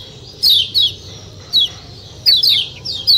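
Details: White-eye (kecial kuning) giving its 'ciak ciak' calls: high, sharply descending chirps in pairs and singles at irregular gaps, over a low steady hum.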